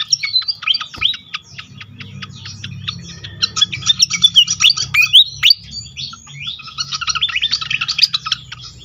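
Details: Lure recording of pied fantail song for stimulating other fantails: a fast run of sharp high chirps, then sweeping squeaky whistles in the middle, over a steady low hum.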